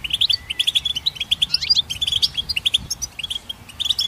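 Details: Goldfinch singing a rapid, bright twitter of clipped chirps and short trills, notes tumbling about four per second with an occasional slurred rising whistle, clear and close.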